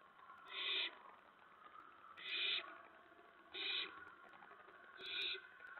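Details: Owls at a nest at night, just before 2 AM on 10 September 2017, as adults deliver a rat and mice to pouncing owlets; four harsh, hissy bursts about every one and a half seconds over a steady low hum.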